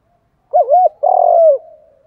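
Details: Thổ pha đồng style contest coo from a spotted dove: two rounded, hollow notes in quick succession, then a long buzzy-edged coo falling in pitch with a soft trailing end.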